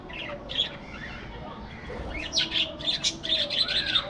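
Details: Parakeets in a spacious aviary, flying and interacting: scattered high chirps, then a dense run of rapid, harsh, buzzy chirps and squeaks about two per second.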